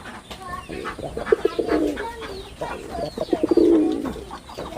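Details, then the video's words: Performing male red-bordered wild pigeon: two gurgling coos made of rapid choppy pulses merging into a low, steady purr, over a backdrop of sparrow-like chirps. "লাল বডার বুনো কবুতরের অসাধারণ ডাক || Pigeon Sound Effect || Male Pigeon Super Performance"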